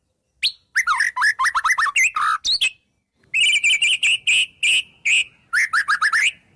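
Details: White-rumped shama singing a song filled with wild bird imitations: quick runs of sharp, slurred whistles, then a long stretch of rapid, buzzy repeated notes and a closing burst of falling whistles. No other sounds.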